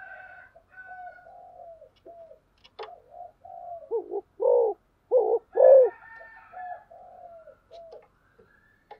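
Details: Spotted dove giving the energetic fast cooing style called thúc gù. Loud, low, throbbing coo notes come in a burst near the middle, set against softer, higher whistled calls from other birds throughout.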